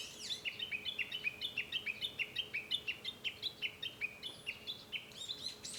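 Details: Japanese bush warbler heard from a room at home on 5 May 2013, giving a long, evenly spaced run of short sharp notes, roughly four per second, each dipping in pitch, continuing steadily without pause.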